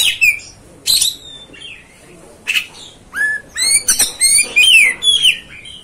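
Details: Oriental magpie-robin (kacer) song for provoking and firing up other magpie-robins: loud, varied whistled phrases with sharp upward and downward slurred notes, harsh buzzy bursts and fast chirps, separated by short pauses, over quiet background.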